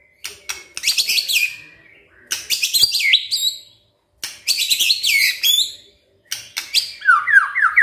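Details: White-rumped shama song used as a morning lure to provoke silent shamas into singing: four loud bursts of rich, varied phrases with sharp upswept notes, buzzy trills and a final descending series of whistled notes, separated by brief pauses.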